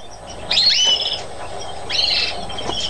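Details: A mutation European greenfinch recorded in Chios, Greece, in 2012 gives two short bursts of clear, slurred whistled notes with twittering, around half a second and two seconds in, over a steady low background hum.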